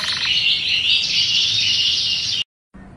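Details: Canary pouring out a dense, continuous rolling trill, high and buzzy, sung to stimulate other birds for mating; the sound cuts out briefly near the end.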